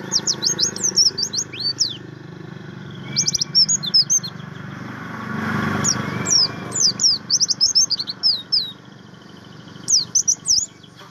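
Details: Javan grey-throated white-eye kept as a cage bird, singing a training-material song: bursts of high, thin chirps and quick downward-sweeping whistled notes in rapid runs, with pauses between phrases and a low background hum.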